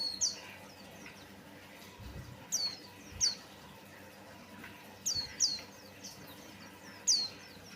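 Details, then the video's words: White-eye lure song for encouraging other birds to sing, with scattered shrill descending whistles, single or in pairs, separated by pauses of one to two seconds; soft hiss and a few low thumps beneath. "pancingan Burung pleci Buxtoni"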